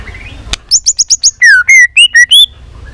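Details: White-rumped shama singing in many voices, used to rouse shamas to sing: a sharp click, a quick run of high chips, then clear, level and rising whistles, each note distinct.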